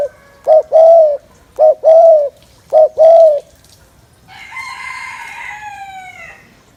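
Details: Cooing spotted dove, a call to rouse males quickly for bird trapping: three quick phrases of a brief note and a drawn-out hollow coo, followed by a rooster crowing in the background.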